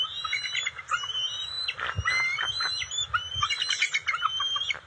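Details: At a bald eagle nest on June 27, 2021, the female arrives with fish for the eaglets; overlapping high squeaky whistles and sharp chips form a busy, jumbled chatter with some thumping and rustling.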